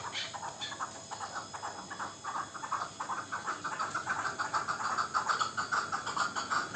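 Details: Young local chukar from the previous year's hatch giving continuous rhythmic chuk-chuk clucking, a little over two notes a second, gradually swelling in volume with no other clear sounds.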